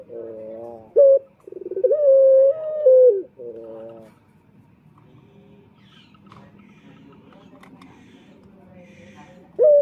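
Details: Male Indonesian puter turtle dove luring males: several pulsed coos and a long sliding note in the first seconds, then faint background murmur and scattered noises, with one sharp note returning at the end.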